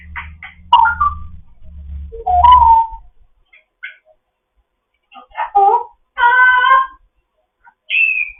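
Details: Morning chatter of an African grey parrot kept in foster care, mixing clipped squeaks, slurred whistles, a harsh rich-toned buzzy note lasting under a second, and a final high descending whistle, over a low hum early on.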